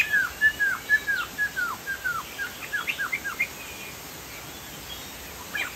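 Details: Chinese hwamei (Sumatran poksay jambul) singing gacor: a run of clear, downslurred whistles about twice a second that fades into softer notes, then a brief return at the end, against a constant high hiss.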